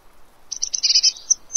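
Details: Eurasian blue tit visiting a fat ball feeder in Pellerey, France, 3 March 2017. One quick run of high, sharp, chirping notes lasts under a second and ends in a faint thin note.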